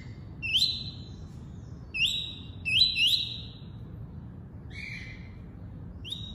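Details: Tuí-tuí style song from a double-collared seedeater: crisp rising whistles that level off high, given singly and in a quick pair, followed by a lower, softer double note and a final upward whistle.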